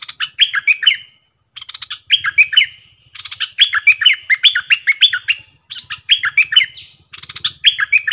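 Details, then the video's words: Cream-vented bulbul delivering its doubled 'phleng boen' song, singing actively, 18 June 2021: repeated bursts of rapid liquid, gurgling whistled phrases, each around a second long with brief pauses, steady and loud throughout. "เสียงนกดอกแตงEp.59 Birds sounds เพลงเบิ้ลของเจ้าเพชร!!Merbah lekir gacor"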